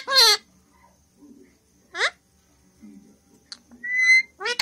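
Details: Indian ringneck parrot talking in Hindi and whistling: rich harsh syllables, quiet mutters between, a steady clear whistle near the end, then another rough burst.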